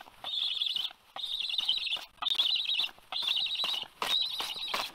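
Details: Black stork chick at the nest in Karula, Estonia, on 27 August 2022, the last one left, crying before a parent flies in to feed it: repeated high, rasping, wheezy bursts, about one second each, with short pauses between, plus knocking noises.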